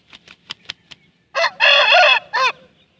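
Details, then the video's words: Aseel rooster crowing: a few sharp clicks and short clucks, then a loud, rich, harmonic crow in three parts, with a brief opening note, a long sustained middle and a short falling end. "Aseel murgha ki azan"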